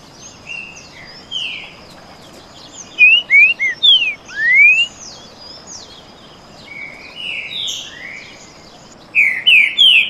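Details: Rival green-winged saltator males trading canto boi song: soft scattered notes, then a loud cluster of short slurred whistles and a long rising one, a quieter stretch, and another bright burst at the end.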